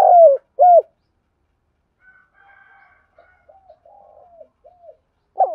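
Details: Low, mellow cooing of a spotted dove in the 'thúc gù' style. Two curved coos open the clip, then faint soft notes and murmurs, and a new coo breaks in at the very end.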